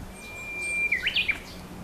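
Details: Japanese bush warbler in an ecological garden. A long, steady whistled note slides smoothly, then breaks into a quick flourish of three sharp, rising and falling notes over soft background hiss.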